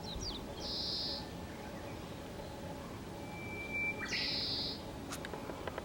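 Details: Quiet, plain call of an oriental greenfinch, not its usual 'kiri-kiri koro-koro' song, recorded with a Canon EOS Kiss X7 on Mizukoshi mountain, Fukuyama, Hiroshima, Japan, May 2015. Two harsh buzzy high notes, with a thin steady whistle from another bird between them.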